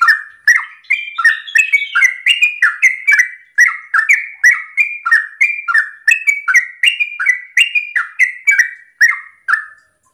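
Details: Sooty-headed bulbul singing a fast, continuous 'ropel' song in the morning, used to provoke other birds into singing: a rapid run of bubbly, descending whistled notes, about two per second, each with a sharp click-like onset.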